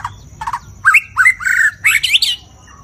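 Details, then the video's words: White-rumped shama, a cage bird kept as a songster, singing loudly: a rapid run of varied whistled phrases, some rising and sliding, others buzzy, rising in pitch toward the end. "kích chòe lửa hót, nhiều giọng | muraibatu | บินหลาดง | Rumped Shama Beautiful Birds Singing Dancing"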